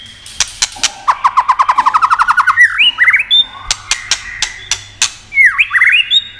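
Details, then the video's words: White-rumped shama song used to excite other shamas; a fast series of sharp clicks and rising chipped notes, then loud slurred whistles and more snaps, over a low background hum. "Âm Kích Thích Cực Nhạy.chòe lửa đập tạch kích bổi cực sung.kích chòe lửa yếu lửa.chòe lửa tạch đập"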